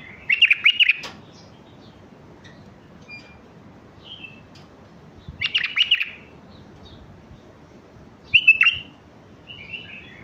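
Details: Bulbul of the Mandali type singing for chicks to learn: three loud bursts of rapid chattering whistles several seconds apart, with faint softer notes and a brief trill between them.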